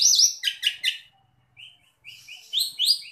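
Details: Asian pied starling song on a cage-bird training recording: loud scratchy chattering notes at the start, a quiet gap, then soft whistles building into rising, squeaky upslurred chirps.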